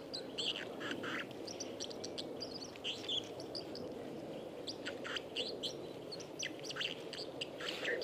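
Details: A white-throated dipper on the Lieser river in Wittlich, 2019, sings a rambling, scratchy run of quick high chirps and twitters over the steady rush of flowing water.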